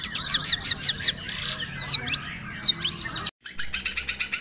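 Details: Eight-month-old male long-tailed shrike in full varied song, meant for tutoring other birds: fast scratchy chattering notes and slurred whistles, a brief cut, then a quick even series of high clicks.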